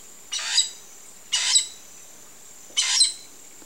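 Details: Wild, free toco toucan (Ramphastos toco) giving three harsh, raspy croaks, each about a third of a second long and spaced a second or so apart, over a faint steady high insect hum.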